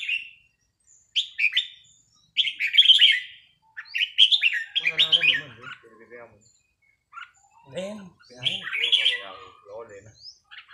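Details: Red-whiskered bulbul in a bird-training session: short bright warbled phrases, fluttering and slightly buzzy, come in quick bursts over the first four seconds, then people talk over scattered notes for the rest.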